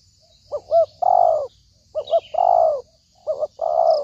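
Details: Spotted dove used to lure birds for trapping, calling in three phrases: two quick rising coos then a long, slightly falling coo, with faint high bird notes in the background.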